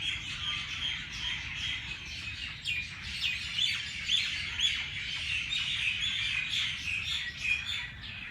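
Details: Early-morning bird chorus in Jilani Park (Race Course), Lahore: numerous birds giving bright, quick overlapping chirps and twitters, a continuous busy chatter with brief louder bursts and faint low background hum.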